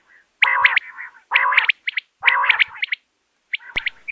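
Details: Common quail calling, a hunting lure: low nasal rasping bursts, each followed by a crisp three-note whistled phrase, repeated about once a second, with one sharp click near the end.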